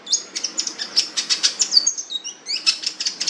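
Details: Long-tailed shrike, described as fierce with a rich voice, singing a fast run of high, sharp chirps and short whistled notes, about five per second, with some quick rising slurs.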